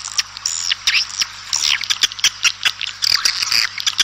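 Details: Swiftlets calling outdoors to gather the flock: dense, rapid twittering chirps and short buzzy trills, many overlapping, with sharp high notes scattered throughout.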